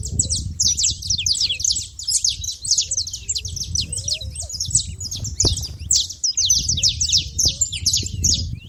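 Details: A crowd of saffron finches at a feeder keeps up a constant, busy chorus of high, clipped chirps and twittering notes, with a low rumbling background and a brief sharp knock midway.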